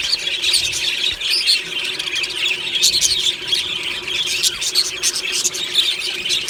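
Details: A budgie aviary colony chirping and singing happily in the morning: a long, steady wash of squawky chirps and rapid warbling from many birds, with brighter, sharper notes standing out now and then.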